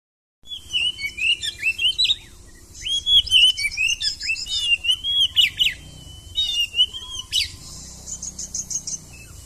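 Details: Oriental magpie-robin singing in the konslet style: clear whistled phrases with sliding, rising and falling notes, delivered in quick bursts, then a long held whistle and a rapid buzzy trill near the end.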